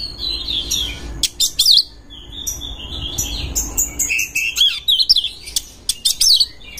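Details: Oriental magpie-robin looking for a rival to fight, singing a long mixed song of thin whistles, sharp clicking bursts and twisting warbled notes, with steady low hum in the background.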